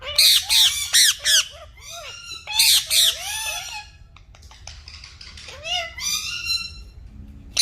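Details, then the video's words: Green talking parrots give harsh, rasping squawks and arched screeches in quick bursts, with a few higher chattering notes between them. "Green Talking Parrots Natural Sounds"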